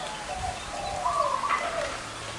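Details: Zebra dove among a gathering of big- and small-voiced birds at one location. One short rolling, trilled coo phrase that steps slightly upward, over a soft steady outdoor hiss.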